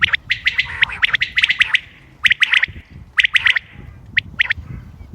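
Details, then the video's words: Common quail call recorded 28 May 2025 for use in hunting: sharp clipped notes bunched in quick clusters, dense in the first two seconds, then sparser groups after a short pause. "quail bird sounds common quail bird sounds بٹیر کی آواز شکار کیلئے quail bird bater"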